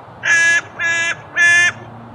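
A carrion crow gives three harsh, hoarse caws in quick succession, each about a third of a second long, with a faint background hum.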